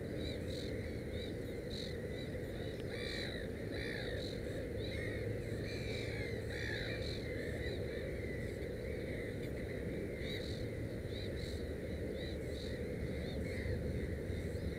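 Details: Black-headed gull at a nest with three chicks, filmed without commentary. Harsh, slurred calls with arched pitch come in short repeated bursts across the clip over a constant low rumble of background noise.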